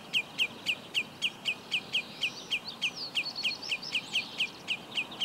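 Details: Common redshank at Úherce, Plzeň-North district, Czech Republic, on 18 June 2017; a steady series of sharp, high, downslurred piping notes, about four per second, with fainter twittering from another bird behind.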